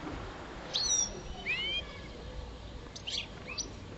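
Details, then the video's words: A five-year-old European goldfinch of the parva subspecies, a kept bird, singing during mating season: a few scattered high chirps and one rising twisted whistle, separated by quiet gaps, over faint background hiss. "Goldfinch song"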